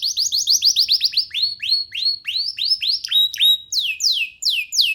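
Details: Free young canary perched on a hand, singing a run of rapid downslurred whistled notes, several per second, shifting into slower sweeping phrases and a few steady whistles, with no other sounds.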